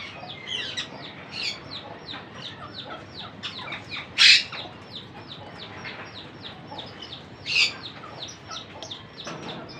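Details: Monk parakeet chicks begging while an adult feeds them, making a continuous stream of harsh, raspy high chatter with two louder screeching bursts.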